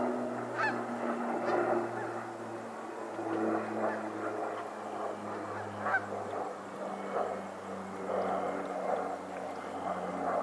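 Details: Geese on a lake in Pennsylvania giving scattered nasal honks, some louder and nearer, over a steady low rumbling hum and soft background chatter of more distant birds.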